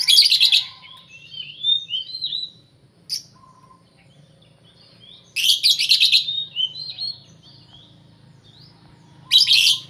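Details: A lovebird gives a long "ngekek": harsh, rapid chattering bursts with high squeaky notes, three long bouts across the stretch, over a low background hum; the call is said to make rival lovebirds answer.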